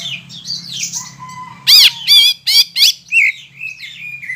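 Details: Greater green leafbird singing loudly to stir rival leafbirds into song: varied whistled phrases, then a run of four or five loud arching notes about a third of a second apart, trailing into softer warbles.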